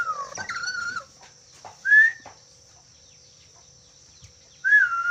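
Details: Black-capped lory (nuri kepala hitam) whistling: loud, clear whistled notes that slide downward, carrying overtones, given in three bursts at the start, around two seconds and near the end, with quiet pauses between.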